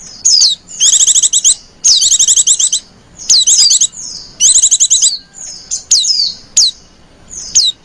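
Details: Female white-eye calling in a lenjeh manja style, used to lure white-eyes: high, thin down-slurred whistles alternating with rapid buzzy trills of repeated notes, in bursts with short pauses.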